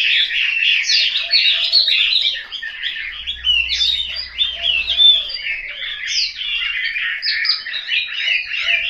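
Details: Chinese hwamei kept at home in Hanoi, singing a loud, continuous run of rich, varied whistled and warbled phrases, fast slurred notes jumping up and down with barely a pause, plus faint lower notes in the background.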